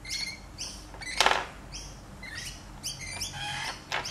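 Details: A lorikeet playing with a toy lorikeet gives quick, high chirps and short squeaky notes in irregular bursts, with one brief rattling clatter partway through.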